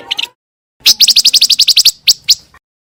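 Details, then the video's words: Scarlet minivet song recorded clean for teaching song to white-rumped shamas: a few quick soft notes, a pause, then a fast, even series of about a dozen sharp high chips ending with two separate louder notes. "PANCINGAN SUARA BURUNG PANCAWARNA"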